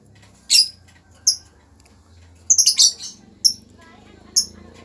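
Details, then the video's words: Lovebird making brief, high, thin chirps spaced about a second apart, with one quick stuttering triple burst in the middle, against a low room hum. "suara burung lovebird"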